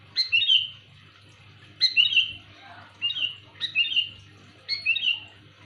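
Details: Sooty-headed bulbul giving its loud luring call: five short, bubbly whistled phrases, each rising sharply then warbling downward, coming about every second, with a faint low hum behind.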